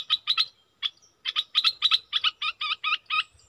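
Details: Decoy Red-whiskered bulbul giving clipped chirps in small clusters with short pauses between them, then a run of rounder, hooked notes.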